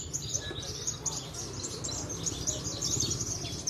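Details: Javan bush lark, a contest bird from Cilacap, delivering a fast, high-pitched jumble of sharp chips and buzzy trills, with low rumbling background noise.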